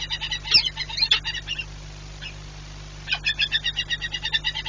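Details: Peregrine falcon of a pair nesting at the Orlen plant in Płock, Poland, on 4 April 2022, a day of frequent nest changeovers, gives rapid harsh calls in two bursts, about ten per second; two sharp knocks, low hum behind.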